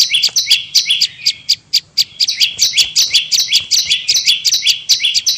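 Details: Bar-winged prinia in a lure recording for attracting prinias: fast, unbroken chatter of paired high notes, each a bright upper note dropping to a lower one, about 160 per minute, with sharp ticking clicks throughout.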